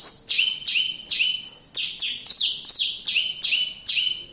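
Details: Javan bush lark from Kediri in full song: around ten loud, high downslurred notes, each sliding from a sharp top to a lower buzzy tail, delivered in an even rhythm, with only faint background hiss.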